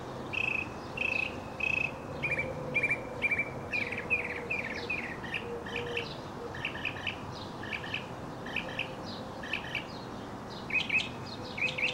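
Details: Singing male mockingbird performing his leaping, tumbling routine, sometimes for up to an hour; a long run of short clear notes, repeated in a steady series before shifting to lower, paired chirps and fresh note types.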